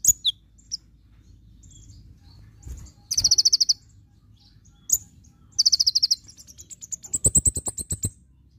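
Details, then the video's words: Javan white-eye in full tembakan song: scattered sharp high chirps, then two fast, very high buzzy trills, followed by a rising run of thin whistled notes over a rapid series of clicking pulses. "Masteran konin full tembakan"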